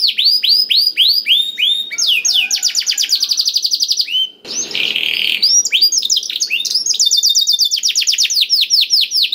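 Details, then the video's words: Black-throated canary singing as a lure for other canaries: varied high phrases of rapid downslurred notes and trills, broken midway by a short buzzy rasping passage before the fast sweeps resume. "KENARI ISIAN BLACKTHROAT #181 || VOICE OF CANARY"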